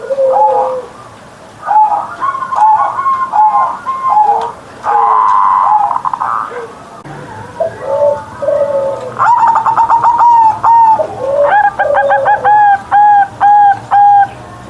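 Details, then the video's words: Kept zebra dove (perkutut) singing in the morning in the loud, full 'ngerot' style: repeated mellow cooing phrases mixing low rolling coos with higher rattling, stuttered notes, in quick bursts roughly twice a second toward the end. "Perkutut Manggung Gacor Suara Besar"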